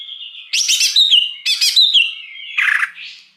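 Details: Lure song of a wild greater green leafbird: a held whistle broken by two dense, rich bursts of mixed notes about a second apart, then a lower harsh chatter and a soft fading rasp.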